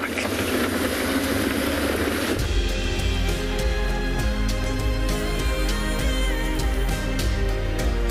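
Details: Loud hiss and rumble give way after two seconds to layered music with sustained tones and a steady beat, over constant low background noise.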